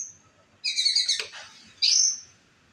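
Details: White-rumped shama song recorded as a master track for teaching other birds to sing: a rich, dense burst of warbled, chattering notes, then a clear high whistle that slurs downward, with a quiet background.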